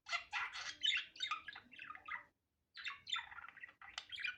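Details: Budgerigar natural chatter, unedited: two dense bursts of harsh, raspy warbling and squeaky chirps, separated by a brief silence, with a faint low hum.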